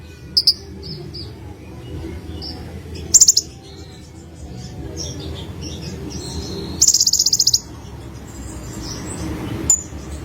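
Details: Olive-backed sunbird song, a little distant: soft high twitters and chips scattered between two loud, rapid, buzzy high trills, over a quiet low background.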